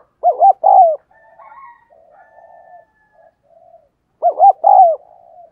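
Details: Spotted dove used as a decoy, cooing to encourage others to call: a strong phrase of two short notes and a longer coo, softer trailing murmurs, then the phrase repeated about four seconds later.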